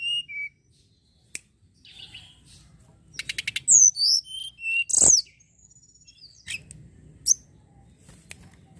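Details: Sunda robin (tledekan gunung) song serving as a lure for other birds: scattered high whistles, a rapid buzzy series, loud swooping whistled phrases and a sharp downslurred note, then softer scattered calls.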